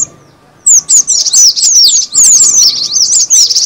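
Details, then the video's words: Cinereous tit lure call: after a brief quiet start, loud, thin, high chirps slur steeply downward in a quick, uneven series, over a soft constant hum. "suara pikat burung gelatik batu"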